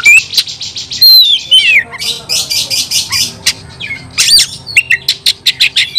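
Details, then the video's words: Fighting song of an oriental magpie-robin, used to stir other birds into combat: fast rattling buzzy trill, then looping whistled slurs, further harsh pulsed notes and a closing series of short sharp chips. "KICAU KACER TARUNG"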